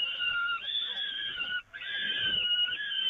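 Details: A peregrine falcon at the Evoluon gives a loud, sustained, wailing whine, steady in pitch, broken once by a brief pause, during feeding from the grate around 5 pm on 13 May 2018. No other sounds stand out.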